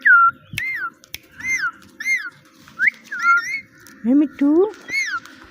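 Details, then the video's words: A small talking parrot strings together arching whistled "Mitthu" syllables, with two lower rising voice-like "meow" notes near the end and quiet room background. "Funny Parrot Talking – Mitthu Mitthu Moments!"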